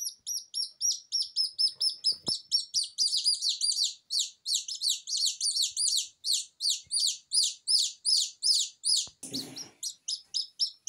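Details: Newly hatched Silkie Serama chicks, vulnerable without a mother hen, crying steadily: shrill downward-slurred peeps repeated over a minute's pace, rising in intensity midway, with a short rustle of handling near the end.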